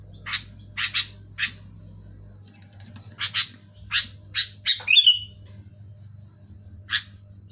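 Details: Sooty-headed bulbul calling loud and clear, with short dry chirps in pairs and singles that build to a run ending in a squealing upward slur, then one last chirp; a low hum continues throughout.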